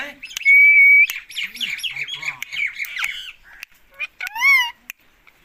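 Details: Pet Indian ringneck parakeet talking to its owner; a loud steady whistle opens, then a run of harsh chattering squawks, a pause, and a loud rising-and-falling whistled note with short chirps in a quiet room.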